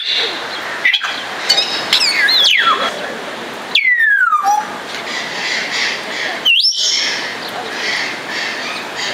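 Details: Captive Congo African grey parrot (Psittacus erithacus erithacus) at Warsaw Zoo making sharp whistled sweeps and clicks, including a long falling glide and a quick upward whistle near the end, against a steady rushing hiss.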